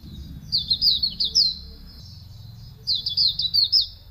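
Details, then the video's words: Hume's white-eye (pleci auriventer) song used as a master recording: two bursts of high, rapid, warbling twitters with sliding whistled notes, separated by a pause of about a second, over faint low background rumble. "Masteran Suara Burung Pleci Auriventer"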